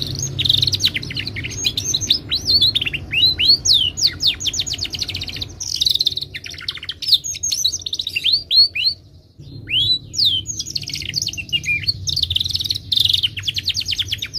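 A Timbrado canary sings a long, rapid, continuous song of high trills, sweeping whistled notes and rolling chatter, with short breaks between phrases.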